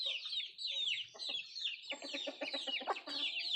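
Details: Native country chickens (nattu kozhi) while eating food: many dense, overlapping high chirps and squeaky peeps run throughout, with lower clucking pulses in a quick series in the second half.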